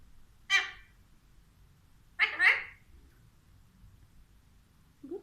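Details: Alexandrine parakeet in its cage giving two short, raspy, broadband bursts of talk, the second a quick double syllable, then a soft low note at the end over faint background hum.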